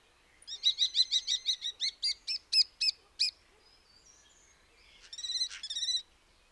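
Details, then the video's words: Common starling calling: a quick run of about twelve bright, harmonic clicking notes over three seconds, then a pause and a short buzzy, rattling burst; quiet background. "The call of the Common Starling"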